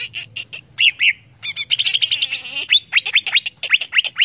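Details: Excited greater green leafbird song meant to provoke rivals: harsh squawky notes mixed with rapid warbled trills and strong downslurred whistles in a busy, nearly continuous flow.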